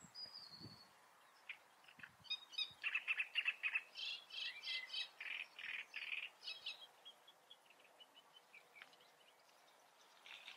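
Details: Great reed warbler song from the Eifel: a run of loud grating, chattering syllables in quick succession, then softer scattered notes trailing off, with a faint thin whistle at the start.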